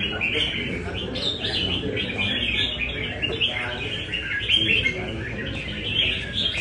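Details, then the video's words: Nam Đông red-whiskered bulbul trained at a bird cafe in Da Nang, Vietnam; steady run of short, clear chirping and whistled notes, thick with neighbouring singers, faint background talk. "Cb Nam Đông Test nhẹ cafe-Chào mào cafe"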